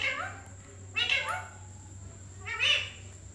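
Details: ['Parrot voicing three harsh, nasal, drawn-out calls with falling tones, spaced about a second apart, over a steady low hum and a faint high whine.']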